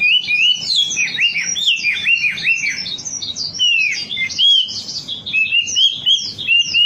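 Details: Lively wambi song from a lure recording: rapid runs of high, hooked whistles and twittering notes, repeated in quick series with brief pauses between phrases.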